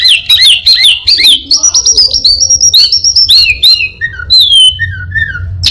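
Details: A rapid, rich torrent of chips and upswept whistles from an orange-headed thrush, said to mimic a prinia, a cat, a cirtu and other birds. It slows into several long falling whistles near the end.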